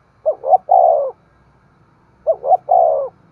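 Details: Spotted dove cooing, used to stimulate other doves to coo and call: two phrases about two seconds apart, each two short rising hoots followed by a longer, drawn-out falling coo, low and mellow, over a faint low rumble.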